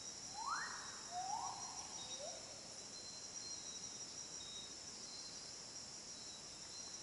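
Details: Chestnut-backed jewel-babbler, a Papuan endemic, gives three soft whistled notes, each sliding upward then held, stepping lower in pitch over about two seconds, over a steady high insect drone.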